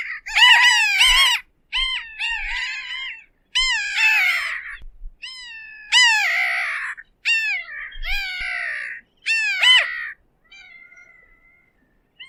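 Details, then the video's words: Bridled tern giving a series of harsh, nasal, harmonic calls, each about a second long with falling and rising inflections, separated by short pauses, followed by a faint thin note at the end. "Крачка бурокрылая. 5 часть. Голоса птиц"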